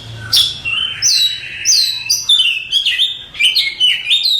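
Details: Contest-champion Oriental magpie-robin giving a lively song of loud falling whistles and rising slurred notes, about three phrases a second, over a faint low hum.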